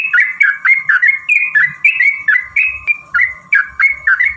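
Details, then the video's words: Yellow-vented bulbul pouring out a long, rapid fighting song to provoke rivals. Bubbly slurred whistles come about three to four times a second without pause, over a steady faint tone. "trucukan gacor TARUNG ROPEL PANJANG pancingan trucukan agar bunyi jadikan burung trucuk gacor EMOSI"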